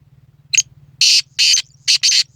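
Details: Rasping call of a black francolin, January 2024: brief clipped first note, then a rhythmic run of four harsh grating bursts ending in a tight pair, with a low droning hum underneath.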